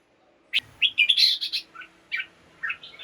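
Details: Red-whiskered bulbul kept in a cage, singing in the morning to stir other birds: a sudden run of bright, bubbling whistled notes, then a few softer warbled phrases dropping lower, with a brief thump.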